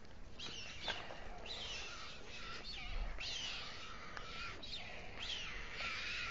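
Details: Dusk feeding of two white stork chicks by the male on the town hall tower, Alcalá de Henares, Spain. Quiet, repeated wavering mews, each rising then dropping, over a faint background hiss.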